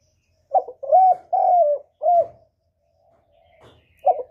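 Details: Spotted dove coo phrase used as a trapping lure and to stimulate kept doves: a clipped opening note, two drawn-out mellow coos, then a shorter dipping coo, a quiet pause, and a new phrase beginning; faint background rustle.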